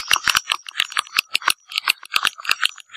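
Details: Swiftlet lure call for attracting swiftlets: rapid dry clicks and buzzy chattering notes in quick irregular bursts, bright and high, with short gaps between pulses.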